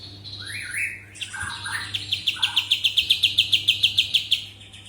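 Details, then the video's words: Cotton-ear bird song (kapas tembak): a few rising and falling slurred notes lead into a fast, regular trill of sharp high notes, about three or four per second, with a low steady hum behind. "Kapas tembak"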